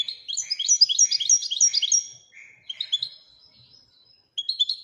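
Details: European goldfinch pouring out a quick liquid twitter of high tinkling notes, fading to quieter buzzy phrases before a fresh burst.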